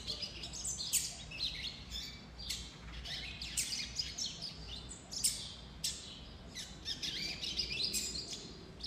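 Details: Young Double-collared Seedeater male still in brown plumage, one of five, giving subsong: a soft, rambling run of thin high chirps and twitters, irregular and unstructured, with a faint background hiss.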